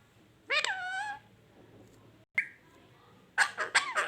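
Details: Pet parrot indoors giving calls described as coughing and mating sounds: a loud harmonic rising-then-falling squawk, a short sharp note, then a burst of rapid raspy chattering notes at the end.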